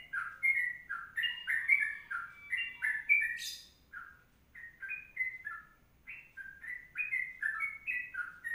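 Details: Sooty-headed bulbul (trucuk) singing a long, rapid 'kongslet' or 'ropelan' style song used as a tutor recording for training birds: bubbly, liquid whistled phrases of rising and falling notes in quick succession, with one brief high buzzy burst midway.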